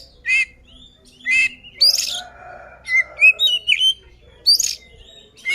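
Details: Oriental magpie-robin singing aggressively to provoke rivals, giving short, spaced bursts of bright whistled and chirpy notes, some rising, separated by brief pauses over faint background hum.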